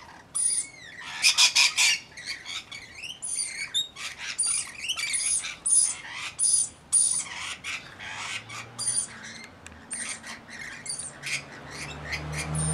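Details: Flock of about 40 Rainbow Lorikeets, part of a mixed group tending a single baby: fast, continuous screeching chatter from many birds, with a low background hum growing later.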